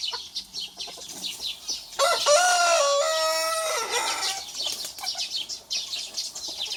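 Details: Troublemaking rooster challenging a rival, one of a small and a big rooster; a long, loud crow of about two seconds with a rising start and held, slightly falling end, amid busy high chirping from small birds.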